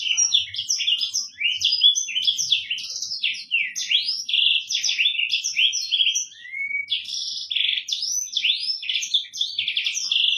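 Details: A Black-throated canary, an African bird, sings a long tutor song for training birds: lively high twittering and buzzy trills, interrupted by a sweet rising whistle midway before the fast warble resumes.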